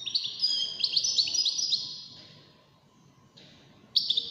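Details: Competing wild-caught European goldfinch, one of five, gives a quick bright twittering phrase lasting about two seconds, fades, then a final sharp burst; a faint steady tone sits beneath.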